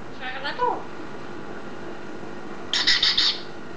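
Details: Pet green eclectus parrot talking indoors: a soft, wavering, harmonic utterance, a pause, then a quick run of four bright, clipped chirps.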